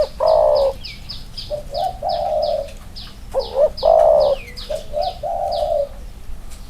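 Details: Two male spotted doves compared next to each other, one wing-clipped. Repeated low cooing phrases of two quick notes and a long hoarse coo, with a steady series of thin, high, falling chirps from another bird.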